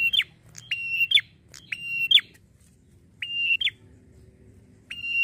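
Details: Red-headed prinia call used as a lure in Indonesia to make other prinias respond: rapid run of harsh, nasal, level buzzes that drop sharply at each end, then spaced repeats after a pause, over faint low hum.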